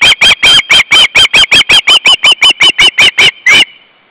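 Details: Ospreys at their nest with three chicks, late August 2012: loud, piercing, repeated whistled yelps, roughly four per second, in a steady run that ends abruptly.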